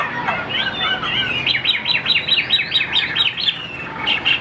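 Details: Tame caged Chinese hwamei singing a soft opening warble that builds into a fast series of about a dozen repeated rising-falling whistled notes, followed by a brief pause and a final flourish.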